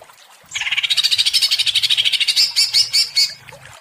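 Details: After half a second of quiet, a provoked greater green leafbird bursts into quick, rasping high chatter, about three notes a second, slowing slightly near the end, over faint low rumbling.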